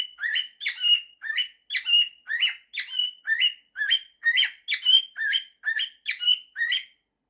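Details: Male pet cockatiel indoors, singing a mashup of the tunes 'September' and 'If you're happy and you know it': a run of about fourteen short whistled notes, each sliding upward then holding, repeated roughly twice a second, with no other sounds.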